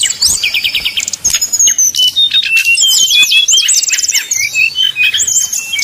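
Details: Sumatran red-crowned leafbirds fighting in a song contest, as a training simulation: vigorous overlapping song of rapid trills, whistled slurs and harsh rattling bursts, barely pausing, with a faint low hum.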